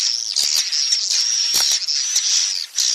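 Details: Swiftlet lure call to settle young swiftlets in a house: a shrill, hissing high chatter with a steady thin whistle line, broken by a few sharp clicks.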